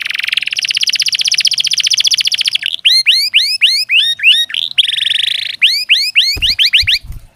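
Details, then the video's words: Canary song meant to coax lazy canaries into singing; opens with a long rapid rolling trill, followed by series of sharp rising whistles, a second trill, more sweeps and a few low knocks near the end. "Ampuh KENARI malas bunyi, Terapi untuk kenari biar cepat bunyi, masteran canary"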